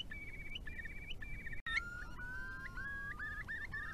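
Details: Curlews at night in spring 2020 on Tarland Wetland at a wastewater treatment works: clear, fluty whistles repeated in quick stepped phrases, then lower, rising bubbling notes, over a steady low background rumble.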